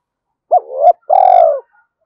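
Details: Spotted dove cooing to lure wild doves: one phrase of a sharp rising note sliding into a swelling coo, a brief gap, then a long steady coo fading downward.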